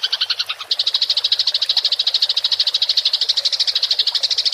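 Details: Rolling chatter (ngerol) of a fighting house sparrow, recorded for songbird training: a few separate chirps, then a long, dense, buzzing-fast trill of high notes held evenly, with a soft low hum in the background.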